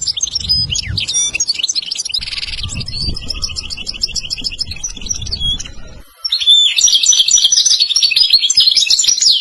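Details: European goldfinch song played as a lesson for a young goldfinch: fast twittering chirps, a buzzy stretch, steady rapid repeated notes, a short break around six seconds, then louder tinkling twitters.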